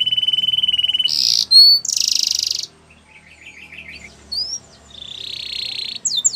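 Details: A canary's training song mixes a steady high trill, loud buzzy blasts, a soft wavering warble, and a drawn-out flat buzz broken by quick whistled slides.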